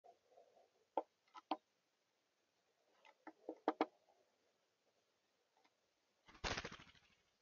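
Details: A Hairy Woodpecker at a trail cam in central Alberta taps on a tree in scattered single knocks and quick pairs, then flies off with a brief whirring flutter of wings.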